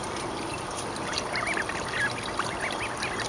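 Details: Mallard ducklings, 29 days old, living in a school courtyard with a swimming area in spring 2012; soft, thin, rising-falling peeps in a short cluster over low background noise.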